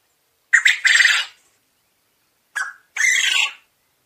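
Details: Domestic Coturnix quail crowing: two harsh calls two seconds apart. Each opens with a short sharp note followed by a rasping, buzzy, rattling phrase of about half a second. Quiet background.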